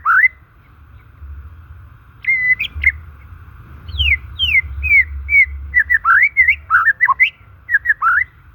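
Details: White-rumped shama, its natural song used to stimulate stalled or stressed shamas: varied clear whistled phrases, rising and falling slurs and quick notes in bursts after a pause, over a steady faint background tone.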